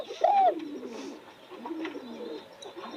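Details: Spotted dove: one loud, smooth, arching coo at the start, followed by quieter low coos trailing off in the background.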